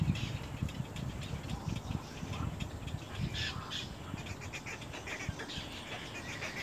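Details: Little egret chicks fighting, giving harsh squawking calls in short bursts between about two and four kilohertz, mixed with low thumping and rustling from the scuffle.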